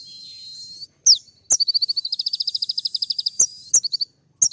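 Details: Sunbird (kolibri ninja) in full-isian 'tembak' song meant to provoke rivals: a hissing high note, then a long even run of about twenty-five rapid ticking notes, followed by a few sharp chirps.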